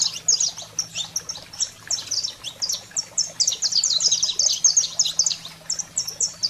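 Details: Wild-style saffron finch song meant to fire up caged canaries: a continuous string of sharp, high chirped notes delivered rapidly in clustered runs with short breaks, a soft low hum beneath.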